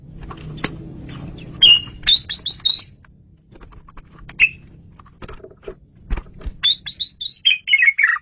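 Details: Asian pied starling song for luring birds: scattered high whistles and chatters among clicks and low noise, ending with a rapid descending series of whistled notes.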